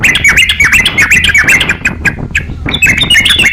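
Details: Crocok-cokan singing actively as a master for training songbirds: bursts of quick chirps and squeaky slurred notes, a short lull midway, then renewed rapid twittering, with low background noise.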